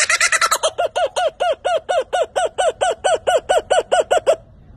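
A laughing kookaburra gives a rollicking run of hooting notes, a quick burst first, then a steady chuckle about four times a second for some four seconds.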